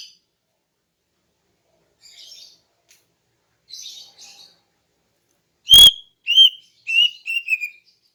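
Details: Morning song of a female greater green leafbird, played to attract males. Faint twittering gives way after a loud click to a few clear, high whistled notes and short descending chirps.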